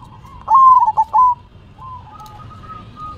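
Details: Zebra dove performing its manggung song, head shaking: one loud phrase of a rising clear coo breaking into rapid stuttered notes, then softer drawn-out coos trailing off.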